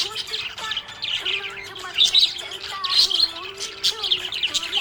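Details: Budgerigar described as happy, chirping continuously in a busy, scratchy warble with sharp high notes and short squeaks, a few louder peaks near the middle and end, while soft music with sustained low tones plays underneath.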